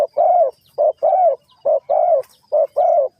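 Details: Spotted dove, with bird trapping in Vietnam as the setting, cooing loudly and close. A short note is followed by a longer, slightly arched hollow note, the pair repeating steadily about every three-quarters of a second.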